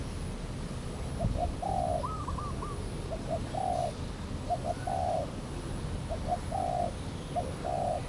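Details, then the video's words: Spotted dove approaching a decoy cautiously at Valdor, Seberang Perai, on 17 November 2013; regular cooing phrases of two short notes and a longer one, with a brief series of higher rising notes early on. "Tekukur Sg Ara"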